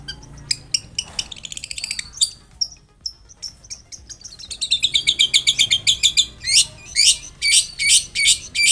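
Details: Long-tailed shrike in varied, lively song used to prompt a reply: rapid high ticking trills, thin whistles, then a fast run of bright chips building into loud harsh repeated bursts.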